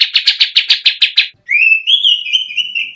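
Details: Kacer (oriental magpie-robin) training song for contest birds: a quick series of harsh raspy notes, a brief silence, then a long, clear, rising and wavering whistle.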